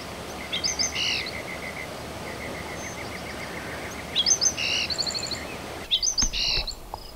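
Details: Botteri's Sparrow singing in July from mesquite flats by Madera Canyon, southeast Arizona, on the way up to Box Canyon; sweet chirps lead into a quickening bouncing-ball series of notes, repeated three times over steady insect-like background hiss.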